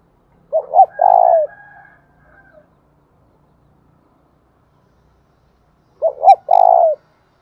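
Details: Spotted dove thúc bổi lure calling to excite another dove: two phrases about five seconds apart, each two short coos then a longer held note, otherwise quiet.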